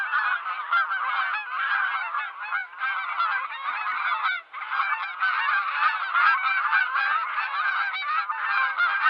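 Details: A flock of domestic farm geese honks loudly and nonstop, many nasal, overlapping calls merging into a continuous clamor with no other sounds.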